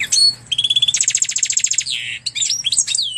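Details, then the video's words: Hybrid of canary and Portuguese goldfinch singing: a sharp whistle, a short even trill, then a fast pulsing rattle of repeated notes, a drawn-out down-slurred buzz and scattered twittering, over a faint hum. "Pintagol de canaria x pintassilgo português canta muito!"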